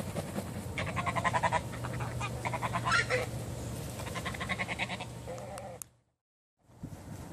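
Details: Morning geese giving clusters of quick, nasal, repeated honks in irregular bursts over a steady low rumble, before a sudden brief silence and the return of the background.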